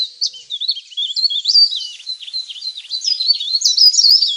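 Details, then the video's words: Lure sound of a leaf warbler for attracting wild birds: rapid high twittering and thin sliding chirps, continuous and busy, several notes each second rising and falling. "suara pikat burung cikrak daun/ pare-pare ribut"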